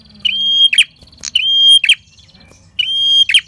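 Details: Prinia lure song for attracting wild prinias: a long, steady high whistle ending in a burst of buzzy, scratchy notes, repeated about every second and a quarter.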